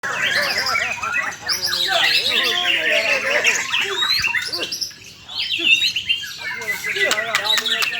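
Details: White-rumped shama singing a rich, varied stream of loud whistles, rapid trills and sliding notes, with lower warbled phrases and a brief pause near five seconds.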